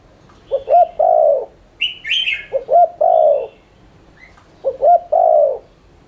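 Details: Spotted dove cooing as a lure: three repeated phrases, each two brief low hoots and a long falling coo, while small birds chirp higher between the phrases.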